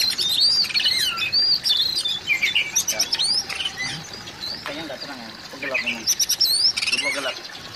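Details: Oriental magpie-robin calling to rouse a mute magpie-robin: a dense run of quick whistles, chips and slurred notes, almost continuous, with brief softer gaps.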